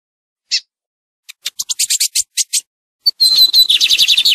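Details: Lined seedeater in the tui tui song style used for training birds: a lone high note, a series of quick sharp chips, then a rapid high trilling warble.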